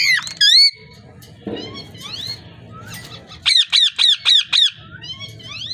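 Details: Parrot squawking: loud looping whistled squawks, a rough burst, then a quick run of six evenly spaced rising-falling squawks, followed by softer calls.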